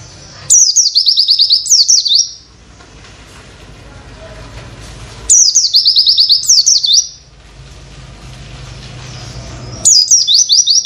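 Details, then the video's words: Tutor song of an Oriental white-eye for training birds, three bursts of high, rapid descending chips with a few sweeping notes, each burst lasting about two seconds and separated by quiet gaps with faint traffic hum. "Masteran pleci nembak materi witwit"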